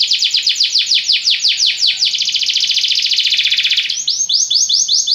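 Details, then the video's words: Belgian canary singing to set other canaries singing: rhythmic swept-note trill merging into a dense buzzing roll, then crisp repeated downslurred whistles. "Canário belga tenta todos os canários a cantar"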